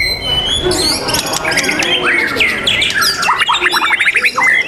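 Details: A white-rumped shama at a songbird contest on 12 December 2021 pours out a rich, fast, varied song of sliding whistles, clear notes and harsh chattering phrases, with little pause between them.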